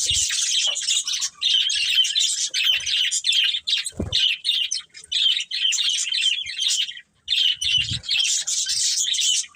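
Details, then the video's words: Chirping budgies in a family group deliver steady, dense high chatter with bright tweets and rasping warble, pausing briefly now and then, with a couple of soft low taps. "Cute Budgies Chirping Sounds"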